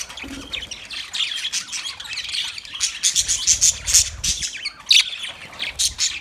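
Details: Several budgerigars in a cage give high squeaky chirps and harsh chatter, with a few piercing whistled notes standing out midway and soft low rumbles underneath.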